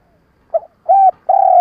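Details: Spotted dove kept as a lure for trapping: a short soft note, then a steady low coo and a long drawn-out coo, cut off at the end.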